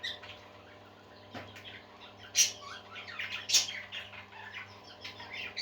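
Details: A group of parakeets sings in a busy, continuous chatter of high chirps and squeaky notes, with two sharp, louder clicks or squawks standing out. A constant low hum runs underneath.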